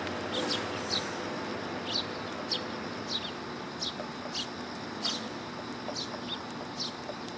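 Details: Willow tit arriving to take food at a Tenmangu shrine, 1 September 2022: quick high-pitched chips and short sliding notes, roughly one to two per second and irregular, with constant low rumbling noise underneath.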